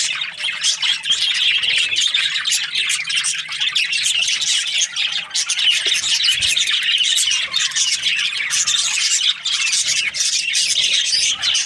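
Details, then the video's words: Budgerigars chirping: a dense, continuous chatter of high squeaky twitters and warbles from several birds at once, with no pauses. "Budgies parrot chirping sounds"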